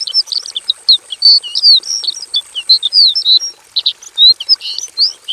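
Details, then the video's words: Aviary-kept Javan bush lark in full song with mimicked fill-ins: a continuous medley of high whistled slurs, sharp chirps and downward flicks, with a faint steady high tone in the background. "KICAU SUARA BURUNG BRANJANGAN JAVANICA GACOR FULL ISIAN"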